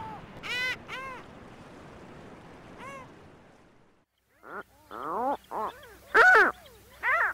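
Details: Seagulls calling: a pair of arched, harmonic mewing notes, a falling note near three seconds, then a louder run of rising-and-falling cries over faint background rumble.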